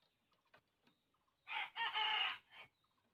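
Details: Purebred red junglefowl crowing: a loud, harsh multi-part crow of about one second, broken into a short opening note, a long sustained middle and a brief tail, with faint distant clucks and calls before it.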